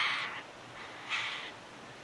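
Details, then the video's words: Tawny frogmouth (Podargus strigoides) fledgling giving night-time contact calls after dark in Melbourne, Victoria, on 6 December 2020: two harsh, breathy hissing bursts about a second apart, each with a rough, noisy texture. "Tawny Frogmouth fledgling night contact call"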